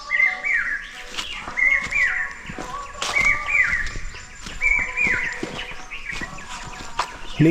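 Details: Indian scimitar babbler (Pomatorhinus horsfieldii), heard but not seen near Tikarpada Nature Camp, Satkosia, by the Mahanadi River: short, clear whistled phrases about every 1.5 seconds, each bending down at the end, with faint clicks and rustling.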